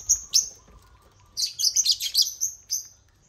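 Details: African lovebirds hijacking a millet crane: two sharp shrieks, then a rapid run of about eight high, squeaky chirps blending into excited chatter.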